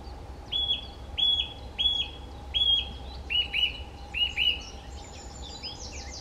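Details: Song thrush singing at Rieux: a clear whistled phrase repeated four times, then a second slightly lower phrase repeated three times, each ending in a brief flourish, with steady low rumbling background noise.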